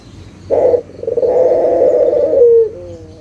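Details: A local turtle dove, used as a lure call to prompt other doves to sing, coos low and hollow: one short note, then a long rolling coo that drops slightly at the end, over faint hiss.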